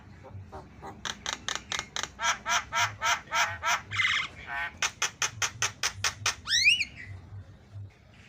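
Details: Javan myna singing fast to set other mynas chattering: a long run of harsh, evenly spaced rasping notes, several a second, broken by a brief gurgle, then a sudden sweeping whistle that rises and falls before the clip fades.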